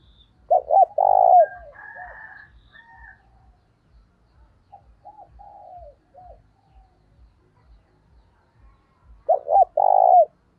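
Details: Spotted dove calling as a decoy to attract others: a loud burst of two quick coos and a longer coo at the start, soft lower coos in between, and the same loud burst repeated near the end.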